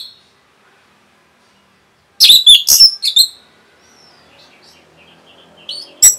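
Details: Quick, varied song of an Orange-headed thrush, played to provoke rival birds: a brief whistle, silence, then a dense cluster of shrill, twisting notes near the middle, faint soft twitters, and a final sharp burst.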